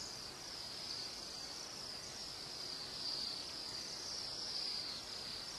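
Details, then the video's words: Bohemian waxwings, a flock heavy enough to weigh down branches, singing in the East Kootenays of British Columbia; faint, continuous high thin trilling from many birds blends into a steady shimmering band, swelling slightly at times over soft background hiss. "Bohemian Waxwings Singing"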